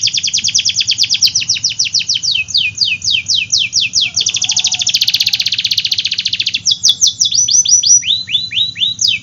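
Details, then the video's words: Loud, vigorous canary song for encouraging silent and young canaries: a long fast series of sharp descending sweeps merging into a dense buzzy roll, then rapid chips and looping whistled notes. "Kenari Gacor Af , Pancingan Kenari Sulit Bunyi dan Kenari Paud"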